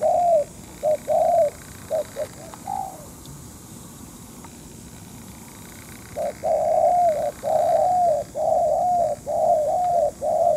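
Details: Spotted dove cooing during bird trapping with a decoy: soft, low hollow notes in short phrases, a brief burst then a longer run of about seven coos after a quiet pause.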